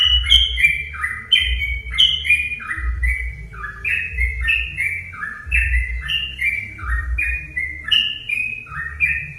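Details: Lure song of a sooty-headed bulbul, meant to set other bulbuls singing: bright, liquid whistled notes in quick falling-and-rising groups, continuous throughout, with a low humming rumble underneath.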